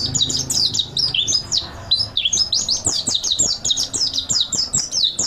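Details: Mountain white-eye master song used for training cage birds: rapid, high-pitched chattering twitters with steep downslurred and upslurred notes run together without pause, a faint low hum beneath.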